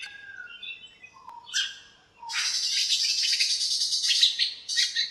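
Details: Birds in a backyard lemon tree on a cool, shiny morning, chirping and squabbling: scattered high notes, then a dense, sustained buzzy chatter of rapid chirps running for several seconds.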